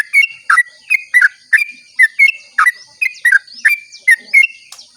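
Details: At dawn, a sooty-headed bulbul sings a long lure song to start other bulbuls singing: bubbly, whistled two-part notes repeated roughly once a second, each with a click and a short liquid slur, faint steady hiss behind.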